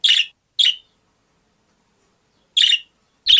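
Budgerigar giving four short, harsh, high chirps in two loose pairs, each a quick scratchy burst, separated by silence.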